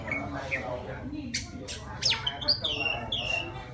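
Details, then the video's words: Oriental magpie-robin from the wild singing for a female, a few faint notes, then clear downslurred whistles near the end over a low background murmur. "Tiếng choè than rừng hót gọi mái"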